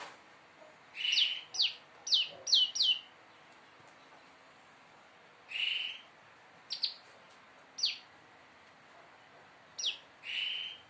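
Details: Prenjak lumut prinia learning to sing in the nembak style: clusters of sharp, high, down-slurred notes alternate with short buzzy bursts, in irregular groups spread over several seconds, against a quiet background.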